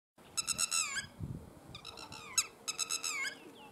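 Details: Red-wattled lapwing in Balochistan giving three bursts of loud, strident, rapidly repeated notes that slur downward, over a low rumble and a faint steady hum.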